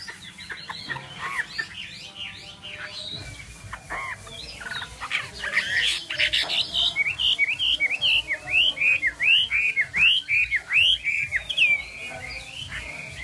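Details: Chinese hwamei singing loud, slurred whistled notes. A jumbled start settles into a steady series of rising-falling whistles, roughly one every second.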